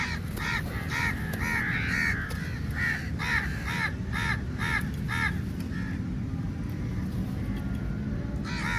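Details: A very large number of crows attacking food during feeding time; a steady stream of rasping caws, roughly two per second, from several birds, fading out briefly before one more caw, over low rumbling noise.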